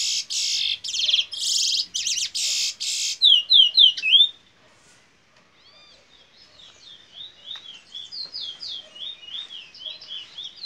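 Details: Bullfinch role song from a locally bred Fire Red mule, a canary x red siskin hybrid from Princes Town, Trinidad. Harsh buzzy bursts and rapid notes are followed by a pause, then softer high slurred notes repeated in quick succession.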